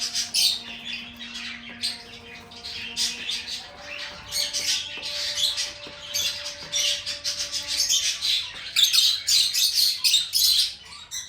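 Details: Lovebird singing: long, busy run of shrill, scratchy chirps and squawks that quickens toward the end, with faint steady tonal hum in the background.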